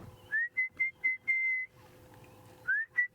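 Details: During an evening African bush safari drive on 7 November 2016, an Orange-breasted Bushshrike calls in the background with clear, level whistles: four quick notes and a longer drawn one, then repeats, over a faint low rumble.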